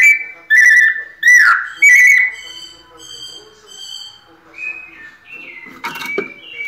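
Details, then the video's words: Kept White-necked thrush in pianado song, opening with three loud whistled phrases close together, followed by a long quieter stretch of faint whistles and a short burst near the end. "Sabiá coleira "Sol" nunca vi pianado tão perfeito!"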